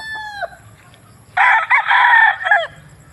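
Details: Rooster crows: the falling tail of one crow opens the recording, then after a short quiet gap a loud harsh crow of about 1.3 seconds with a brief break and a dropping final note.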